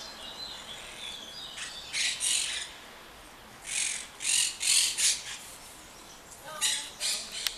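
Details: Rome, Italy, monk parakeet calls: scattered groups of loud, raspy squawks in short clusters separated by pauses, with a few thin whistled notes early on and a sharp click at the end.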